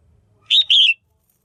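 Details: Female red-whiskered bulbul kept in a cage, calling to excite males or to pair: a single bright two-part whistle, the first note rising and the second sliding down, over near silence.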